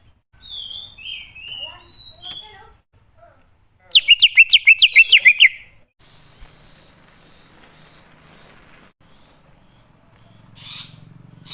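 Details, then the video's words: Wild greater green leafbird song used to lure wild birds: soft warbled whistles, then a fast, even series of about ten rising chirped notes, followed by quiet background with a low hum. "Pancingan Burung Cucak Ijo Ngalas Di Jamin Langsung Nyaut"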